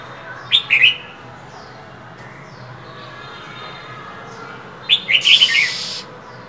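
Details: Female than songbird kept as a cage bird, calling in bitter midwinter cold: two short clusters of high, harsh chirps several seconds apart, the second ending in a hissy rasping burst, quiet between.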